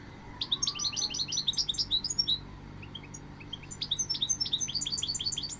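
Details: Almost continuous goldfinch song of rapid, high, liquid twittering phrases with brief breaks, the notes sliding and chiming; a low constant hum in the background.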